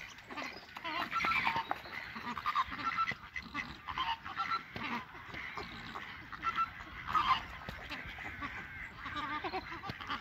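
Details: Courtship display in a Chilean flamingo flock at WWT Slimbridge, March 2020; many birds give nasal honking calls in overlapping irregular bursts, with louder peaks around the middle and steady background chatter.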